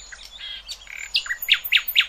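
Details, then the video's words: Short burst of nightingale song meant for tutoring goldfinch and hybrid chicks: soft varied warbling notes giving way to four or five sharp, loud, downslurred chips spaced roughly a quarter second apart. "اقوى تغريد طائر العندليب"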